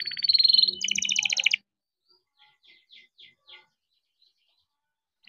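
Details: Young captive-bred canary singing rolled phrases meant to prompt quiet canaries: a brief buzzy high trill lasting about one and a half seconds, then soft scattered chips and a short burst at the end.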